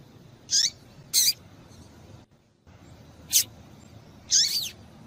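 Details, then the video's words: Female double-collared seedeater call meant to stir males into singing: brief high downward-sweeping chips, a quick pair followed after a pause by two more, one of them longer and wavering. "Piado de Fêmea de Papa capim para Esquenta papa capim"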